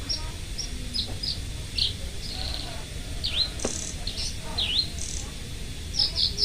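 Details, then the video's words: Local Indonesian lark, sold as a strong, loud singer, in a lively burst of song: scattered high thin whistles and downward-swooping slurred notes, some bright trills, over steady low background hum. "Branjangan Parva Gacor Volume Keras"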